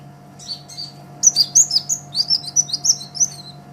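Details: High, thin sunbird song from an olive-backed sunbird used for training songbirds: a quiet start, then a quick regular series of bright slurred chirps, about three per second, over a faint hum.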